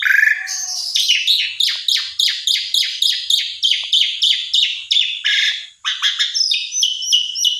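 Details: Asian pied starling singing to provoke another starling; a long, even series of sharp descending chip-like notes, about three per second, builds into higher squeaky phrases.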